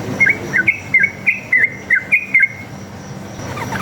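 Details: Wild sooty-headed bulbul song for luring other bulbuls to answer: a run of about eight clear, short whistled notes, each dropping then lifting, spaced roughly a third of a second apart, then quiet.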